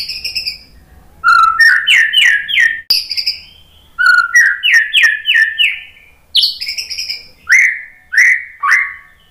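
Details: White-rumped shama training song: loud varied phrases of low whistles climbing in rapid stepped notes, with high sustained whistles and sharp chips between, repeated in bursts every two to three seconds.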